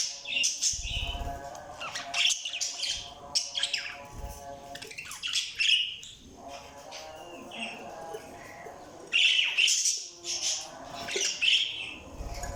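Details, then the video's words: Budgies chattering in scratchy, high-pitched bursts, accompanied by a steady low tonal hum and occasional low thuds. "Budgies Sounds| Budgies Chirping sound"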